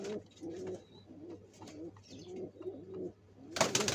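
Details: Nest-building pigeons getting ready to lay eggs utter a series of distinct deep coos, roughly every half second, ending in a sudden loud burst of clattering noise.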